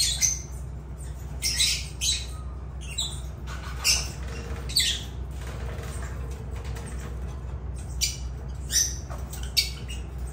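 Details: Lovebirds giving short, shrill, harsh squawks in scattered bursts every second or so, over a steady low hum.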